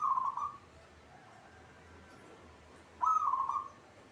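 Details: Caged local zebra dove in full song: a short burst of quick stuttering coos, a pause of about two and a half seconds, then a louder rolling coo phrase, with faint hum behind.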